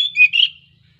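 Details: An Oriental magpie-robin in breeding condition, used as a lure to get silent magpie-robins singing, gives a brief burst of high, sweet whistled notes, two quick phrases within half a second, then falls silent.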